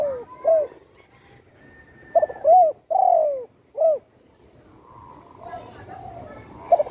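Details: Spotted dove whose wing was broken by a shot, now singing regularly at home. Several cooing phrases, each with a long sliding middle note, followed by quieter chattering from other birds.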